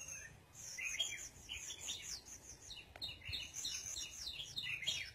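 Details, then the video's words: Red-whiskered bulbul out sunbathing amid a dense run of lively whistled and warbled phrases rising and falling, with overlapping chirps filling the whole stretch. "Phơi Nắng Chim Chào Mào"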